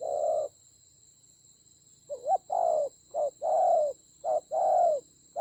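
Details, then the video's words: Decoy spotted dove in a fierce fight in the mountains and forests of Vietnam's Central Highlands on 19 October 2020. A long coo is followed by a gap, then a wobbling note and three short-long coo pairs. A faint high tone sounds throughout. "Thổ khủng.trận chiến ác liệt có thần rắn thổi còi"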